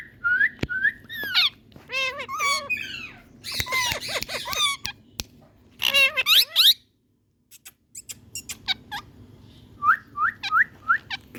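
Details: Indian green parrots give bursts of harsh, harmonic squawks and buzzy chatter with short pauses, then a near-silent gap followed by a series of quick rising squeaky notes.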